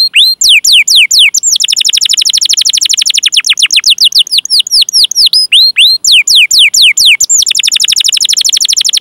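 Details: Canary song, long 'cuit cuit' chirping with rolls, used as a training lure for young or silent canaries: loud, high downslurred whistles alternate with fast rolled trills of repeated notes, several switches over nine seconds.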